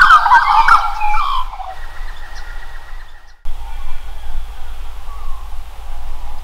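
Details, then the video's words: Australian magpie singing a loud, rich burst of gurgling warbles with a butcherbird, which shares its territory, giving softer, clear, drawn-out whistles close by, over a steady low background rumble. "Magpie sings with Butcherbird"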